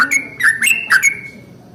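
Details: Brief burst of Yellow-vented bulbul 'ropel panjang' morning song, played to prompt other bulbuls to sing: a few rich, gurgling notes rising and dipping, then trailing into quiet.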